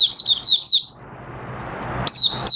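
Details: Oriental white-eye, locally Mata Puteh Raja, starting to sing on 30 August 2022 after growing new white feathers; a brief warbled twitter phrase, about a second of soft background noise, then two short high chirps.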